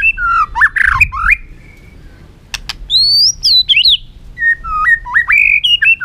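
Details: Caged white-rumped shama singing to provoke competitive song: rich whistled phrases with slurred rising and falling notes, a pause, then sharp clicks and fast varied whistles.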